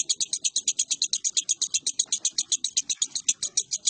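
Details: Lovebird song from 19 January 2018, a rapid, piercing chatter of sharp repeated notes, roughly eight each second, steady and continuous throughout.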